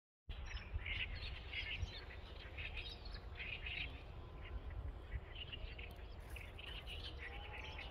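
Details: Several birds in Badakhshan, Afghanistan, chirp and twitter in short, bright bursts throughout, over a steady low rumble of wind or running water.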